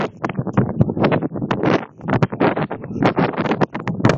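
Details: Strong gusts buffet the microphone in repeated loud broadband bursts, masking everything else.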